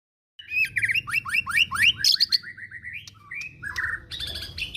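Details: Male white-rumped shama, a caged songbird, singing loudly with its beak wide open: a rapid run of rising whistled notes about four a second, then sharp chattering phrases and higher trills.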